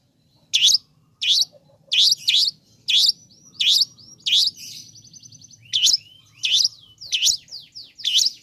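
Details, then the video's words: Long-tailed shrike played to provoke other shrikes into calling: repeated harsh scratchy notes roughly every two-thirds of a second, mixed with thin high whistled slurs and a brief rapid trill. "Bikin Cendet Loyo Kurang Emosi Agar Segera Terpancing Emosi &Ikut Bunyi"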